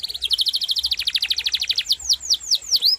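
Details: Canary song: a fast, even chain of short bright notes about eight to ten per second, ending with a few slower, arched, sweeping whistles.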